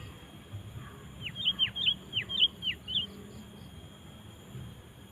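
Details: Lively sooty-headed bulbul song meant to lure wild bulbuls into singing along. A run of about eight sharp whistles lasts two seconds, mixing level chirps and steep downward slides, with a steady high hum behind.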